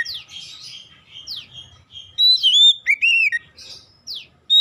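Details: Oriental magpie-robin song played to prompt other magpie-robins to sing: quick downward-sweeping notes and buzzy chatter, then loud sustained slurred whistles with a bright arched note.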